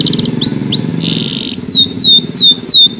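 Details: Canary song over a low background rumble: two upward slurs, a short buzzy trill, then four loud falling whistled notes spaced evenly about every quarter second.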